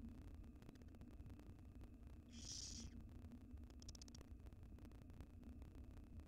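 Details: Tiny wild barn owl nestling inside a nest box while swallowing a rodent; one drawn-out, noisy hiss followed by a shorter, fainter one a second later, set against a constant low electrical hum.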